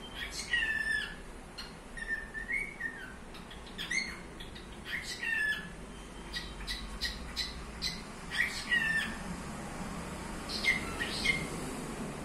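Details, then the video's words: Pet cockatiel whistling in bursts: wavering, warbling whistles that rise and fall, mixed with sharp chirps and clicks, repeated every second or two over a soft background murmur. "Sultan Papağanı Berat'ın Keyfi Yerinde mi?"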